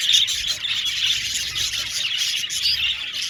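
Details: Aviary full of budgies chirping busily, a loud, continuous tangle of high squeaks, tweets and warbling chatter from the whole colony.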